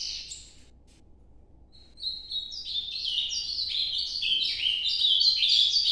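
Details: An ultramarine grosbeak sings a northeastern-style song: a fast, warbled phrase of high whistled notes that step down and up, after a short opening chirp and a pause.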